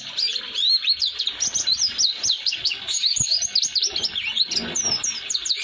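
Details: Oriental white-eye (pleci) singing in the prized 'roll durasi' style, a long unbroken roll of rapid, high, thin chirps and slurred whistles, used as a tutor song for young white-eyes caught from wild flocks.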